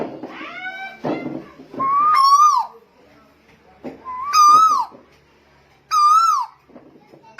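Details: Tuwu bird from Lombok in 2021, giving three loud, rich whistled notes, each rising then falling with a wavering crest, spaced about two seconds apart, with faint voices and low background sounds between them.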